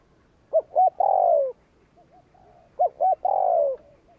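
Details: Two 'gù kích' phrases from a spotted dove, a provoking coo for wild birds: paired short notes leading into a sustained, gently falling coo, repeated after about two and a half seconds, with faint background cooing.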